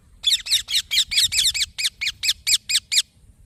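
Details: Baby green parrot delivering a continuous series of about thirteen loud, scratchy chirps, quick and slightly uneven at first, then evenly spaced.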